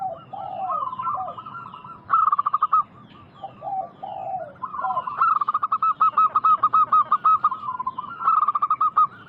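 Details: A zebra dove lure recording meant to draw replies from wild local doves. Soft low gurgles give way to loud rolling phrases of quick repeated coos, and the phrases sometimes overlap.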